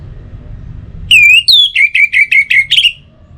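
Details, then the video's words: Orange-headed thrush song for morning and evening, used to set other birds singing: a sustained whistle, a higher slurred note, then a run of seven short, even whistled notes ending in a brighter flourish. "Pancingan Suara ANIS MERAH Untuk Pagi dan Sore Hari Agar Burung Jadi Tambah Gacor"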